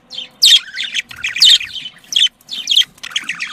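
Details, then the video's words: Pet budgerigars, an Australian parakeet kept as a flock, giving mating calls meant to stimulate breeding: bursts of harsh, buzzy chirps and squawks broken by short pauses, with a low hum underneath. "muhabbet kuşu kızıştırma sesi muhabbet kuşu sesi muhabbet kuşu çiftleştirme sesi صوت تزاوج طيور الحب"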